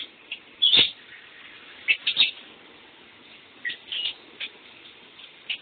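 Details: Pet lovebird calling while a person showers. One loud squawk-like chirp leads, followed by softer, scattered high peeps, all over the continuous hiss of water.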